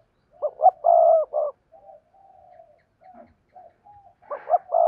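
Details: Decoy spotted dove cooing in the two-ending style used to draw in wild doves: a burst of deep, mellow coos, quieter drawn-out notes, then another loud coo phrase to finish.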